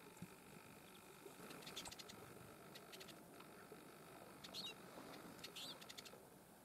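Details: Citril finch (Carduelis citrinella) call at Revolcadores Special Conservation Area, Murcia, Spain: a few short, high, metallic chirps in small bursts a second or so apart, faint over a steady rushing hiss.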